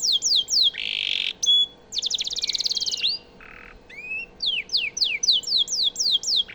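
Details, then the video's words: Canary song as training material for White-rumped shamas, mixing sharp falling whistled notes, a harsh buzzy rattle, a fast trill and brief lower rasp before more descending chips. "Suara burung kenari cocok untuk masteran murai batu"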